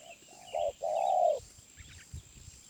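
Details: Wild spotted dove of the 'suara menengah' middle-voice type, giving a single phrase: a soft lead-in, a short coo and one long steady coo. Faint bird chirps and low rustling follow.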